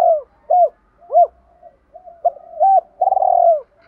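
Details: Spotted dove cooing, a voice used to train and lure other doves: deep, soft hollow coos, three short notes, then a longer rolling phrase ending in a drawn-out, trembling coo, clean with no other sounds.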